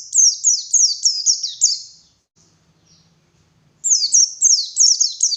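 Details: White-eye in full energetic song, used as a morning lure for wild forest birds: rapid high, thin, downslurred chirps strung in fast bursts, a two-second pause, then the chattering run resumes.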